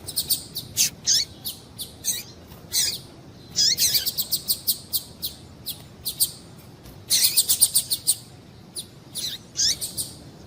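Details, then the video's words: Female double-collared seedeater calling to get males excited. Dense strings of high, thin chirps, some sweeping downward, form quick rattling runs with short gaps, over faint background hiss. "Piado de Fêmea de Papa capim Para Esquentar Papacapim"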